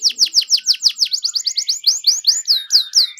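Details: Gacor canary song, used as a lure to prompt reluctant canaries to sing: a rapid series of bright, downward-sweeping chirps about seven per second, then slower rising upswept whistles, with a soft lower buzz underneath.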